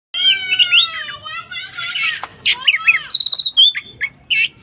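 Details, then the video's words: Oriental magpie-robin singing prolifically, a rich, fast medley of clear whistles, slurred rising notes and harsh chattering phrases, almost without pause. "kacer gacor gayanya manteb"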